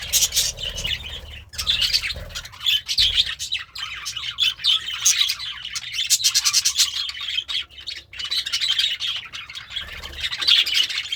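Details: A contented budgerigar kept as a pet, eating greens, keeps up a long, bubbling stream of rapid high chirps, tweets and scratchy trills, with brief pauses and louder clusters toward the end.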